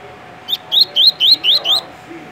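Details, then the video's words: Double-collared seedeater, a captive bird in Rio de Janeiro, Brazil, giving its tui tui song: six evenly spaced, loud, upward-sweeping whistled notes in just over a second, clean against a quiet background. "Coleiro TUI TUI MUSTANG dando um show de cantoria"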